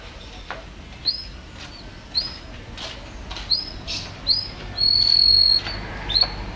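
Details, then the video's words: Champion canary singing in short, spaced chirps that sweep upward and fall, about one every second, then one long steady high whistle held for nearly a second before a final chirp. "Suara Kicauan Burung Kenari Juara"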